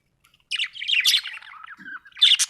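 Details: Pet budgerigar, described as happy, singing a lively warble of rapid chirps and squeaky notes, bursts of high twittering with a brief pause and a loud final flurry.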